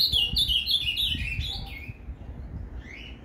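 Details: Ultramarine grosbeak performing a Paraná canto fibra song to fire up a captive bird: hurried tumbling whistles dropping in pitch over about two seconds, followed by one softer upslurred note; light low rumble beneath.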